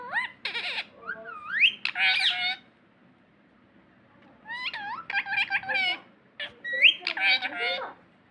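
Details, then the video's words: Parrot talking: two bursts of chattering, speech-like phrases with squeaky tones and rising whistled glides, separated by a silent pause of about two seconds, over a faint low background hum. "speak parrot"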